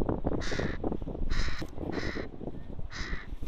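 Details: Four raspy caws from a young crow in Leipzig's Rosental, Germany, coming in quick succession at intervals of under a second, with a constant low-pitched rumble underneath.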